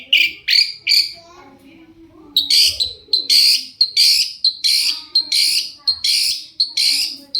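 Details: Energetic long-tailed shrike song used to provoke replies from other shrikes, opening with whistled notes, then a pause, then a steady run of loud, grating buzzy bursts repeated roughly every half second.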